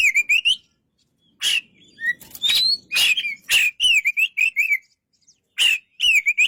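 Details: Oriental magpie-robin singing: bright whistled phrases with rapid up-and-down warbles, separated by short pauses and sharp broadband clicks, phrases returning after a near-silent gap.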